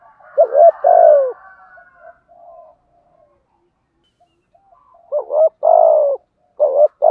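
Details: Spotted dove decoy bird in Thổ voice, used for luring wild doves; one loud coo phrase, then a quiet pause with soft murmuring, then two more hooked-and-falling coo phrases close together.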